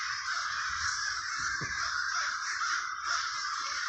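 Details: A continuous wall of raspy cawing from many crows in Trenton, New Jersey's Villa Park neighborhood, steady in loudness, with a brief low thud near the middle.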